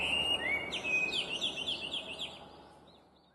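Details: Chinese hwamei, an invasive alien species, singing a slurred whistle and then a rapid run of quick repeated notes, about four per second, fading into silence.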